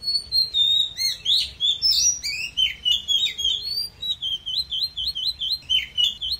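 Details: Oriental magpie-robin giving forest-style 'kéo thuốc lào' song, intended to fire up weak newly caught birds: a steady stream of loud, varied whistled phrases, slurs and sharp chips at about four notes per second, ending in repeated looping whistles.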